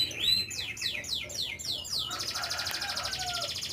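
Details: Canary singing: a series of sweeping downward whistled notes repeated about every quarter second, then switching to a fast, buzzy high trill that rolls on steadily to the end.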